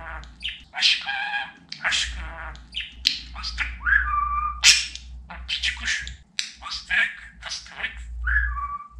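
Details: A pet budgerigar talks and whistles, mixing harmonic speech-like syllables with clean, level whistled notes, over a steady low hum.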